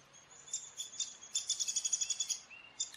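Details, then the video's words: Downy woodpecker calling: a few scattered squeaky high notes, then a quick run of about a dozen sharp, evenly spaced high-pitched notes, and one last note at the end, over a soft background hiss. "Downy woodpecker call / song / sounds"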